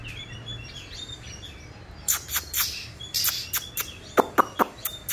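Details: A young Oriental magpie-robin practicing its song (subsong): faint thin whistles, then scratchy chirps and sharp clicks in uneven bursts over quiet background hiss.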